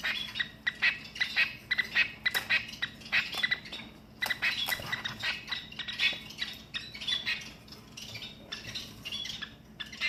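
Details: A male long-tailed (shafttail) finch gives its courtship crow-like sound: harsh, raspy squawks in quick irregular bursts, about one per second, from a temporary small cage, over a steady low mechanical hum.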